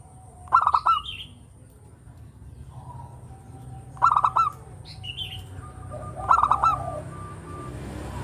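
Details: Local zebra dove singing actively, recorded as a lure for other birds: three bursts of rapid staccato, stuttering coos, each roughly a second long and spaced several seconds apart, over a faint steady high hum and low background rumble.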